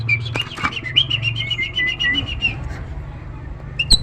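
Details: Tame Nias hill myna singing actively, used as master audio to prompt other birds to sing: a run of clear whistled notes, some sliding up or down, over a steady low hum, with faint wing flaps.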